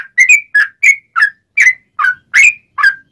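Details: Sooty-headed bulbul with a clear, sharp song used as a trapping lure for wild birds: nine loud whistled notes, each a quick rising-falling slur, spaced roughly three per second.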